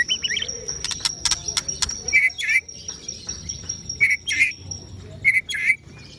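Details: Ciung wanara white-rumped shama giving short harsh chipping notes, mostly in pairs a second or so apart, with sharp clicks early on and a steady thin high tone behind.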